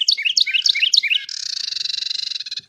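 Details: Carolina wren pair duetting in nesting season: four quick, rolling whistled phrases from the male, then the female's dry, buzzy rattle pulsing rapidly for over a second.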